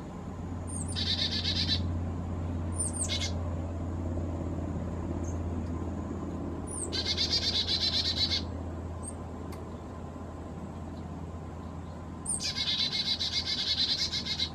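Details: Black-capped chickadee, possibly hybridising with Carolina chickadee, making a fuss at a feeder at 4000 feet in the Great Smoky Mountains during warm weather; four bouts of high slurred notes and harsh buzzy dee series over a constant low hum.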